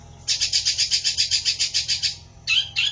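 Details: Long-tailed shrike song: a rapid, even run of about fifteen high chattering notes, then a pause and two harsher, buzzier bursts.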